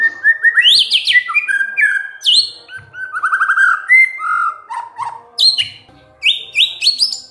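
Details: White-rumped shama, a bengong (quiet, sulking) bird being lured to sing, in a long, varied run of loud whistled phrases: rising and falling slurred notes and quick trills sweeping through mid and high pitches, with short gaps between bursts.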